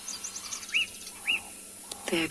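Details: Black-backed puffback calling very close on a sunrise game drive, 18 November, Tswalu Kalahari Reserve, South Africa: two short, sharp, arched notes about half a second apart, faint high chirps of other birds, a brief louder sound at the end.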